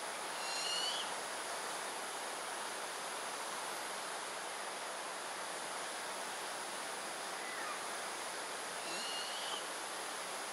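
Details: A Buffy fish owl fledgling in Singapore, 17 Sep 2022 around 7 pm, calls for over half an hour to be fed by its parents: two short, rasping, upward-sliding begging calls about eight seconds apart, over steady hiss.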